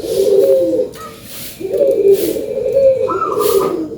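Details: Zebra dove of a local strain singing as a lure call: low soft warbling coos, slightly rising and falling, with a brief higher coo from another dove and steady background noise.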